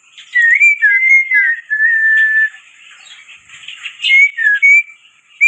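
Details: Black-winged myna lure song made of smooth, sustained whistles that hold steady or dip slightly, run together over a soft chattering background, with a few sharper whistled notes near the end.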